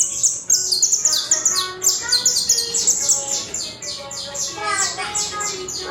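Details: Saffron finch of the Colombian coarse brown type in strong, clear song, delivering quick repeated high downslurred notes about four per second over a low hum of background sound.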